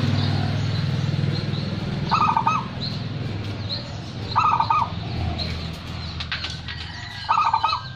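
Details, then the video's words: Local zebra dove, a first-place contest champion, singing: three short trilled cooing phrases spaced about two to three seconds apart over a steady low rumble. "perkutut lokal gacor juara 1"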